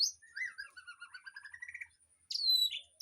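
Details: Aviary birds, recorded as training song for a white-rumped shama: a run of short chirps climbing gradually in pitch, then a loud, clear whistle sliding downward, ending with a brief high note.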